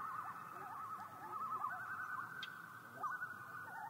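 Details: Common loon giving tremolo calls on Yellowstone Lake: a continuous wavering, quavering laugh-like call that warbles rapidly up and down at a steady pitch for several seconds, with a second fainter loon tremolo overlapping.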